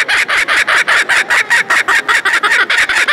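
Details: A captive laughing kookaburra at a poultry show in Beauvais, Oise, France, in May 2019 gives a run of harsh, cackling 'ha-ha' notes, about five or six a second, steady and loud with no other sounds.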